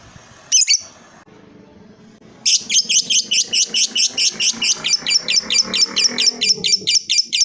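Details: Lovebird calling a rival with a long ngekek: one harsh squawk, a brief pause over low background hum, then a fast, regular series of sharp high chattering notes running to the end.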